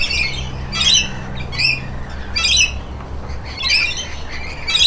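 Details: Rainbow lorikeet (Trichoglossus moluccanus) giving harsh, shrill screeches in short bursts, about one a second, over a low steady hum; a pair that drove other lorikeets away before bathing together.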